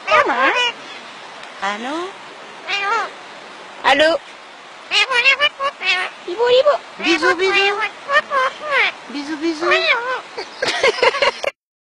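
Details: Two twin parrots talk in a long run of mimicked speech, rising and falling wavering tones mixed with squawky chatter and bursts, ending abruptly.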